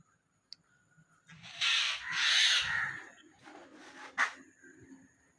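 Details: Baby common myna fallen from its nest, begging with harsh, hissing rasps: two long loud bursts, then softer, shorter scratchy calls and one sharp final note, in a quiet setting.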